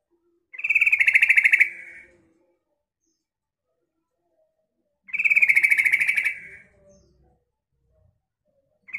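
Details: Female yellow-vented bulbul calling to lure males: two harsh, buzzy, rattling chatters about a second long, four seconds apart, in otherwise quiet surroundings.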